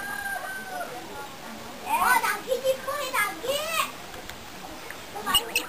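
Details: Myna at Simuti longhouse in the Borneo Highlands repeating "hello" to visitors: a cluster of clear, voice-like harmonic phrases with bending pitch, several short bursts in a row, then a final brief note amid faint human voices.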